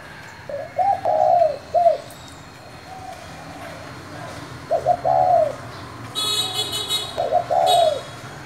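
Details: Spotted dove cooing in the 'thổ' style to excite other doves: three low, rolling coo phrases spaced a few seconds apart, with a burst of higher chirping noise between the later phrases.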